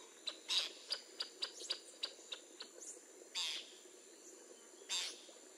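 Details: Northern jacanas in the wild with newly hatched chicks, a male sheltering them under his wing: a run of short clicking notes slowing down, followed by two louder harsh, rasping bursts about a second and a half apart.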